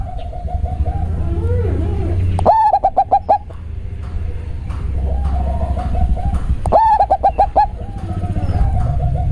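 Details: Zebra dove of local stock, its voice called very bassy, repeating a rhythmic coo: a swelling first note, then a rapid string of short, evenly spaced hoots. Two such phrases are heard against a steady low rumbling background.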